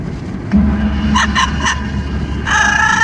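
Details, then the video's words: Pet Amazon parrot on a car commute making noise in the wind: three short nasal squawks in a row, then a longer harsh call at the end, under loud engine and wind rumble. "the Parrot riding in car, making noise in the wind"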